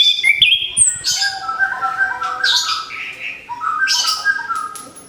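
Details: Orange-headed thrush, caged and just past its moult, delivers a rich song. Clear mid-pitched whistled slurs interweave with high buzzy notes and quick chips in a continuous run.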